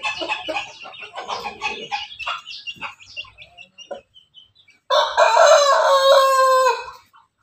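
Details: Rooster bred from Pelung and Bangkok chickens, kept in a backyard, chuckling in rapid irregular notes that fade out, then delivering a loud, steady, ringing crow lasting about two seconds.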